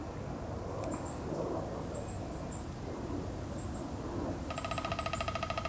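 A Downy Woodpecker's short, even drumroll of rapid taps closes the recording, over thin, high-pitched chirps and a low background rumble.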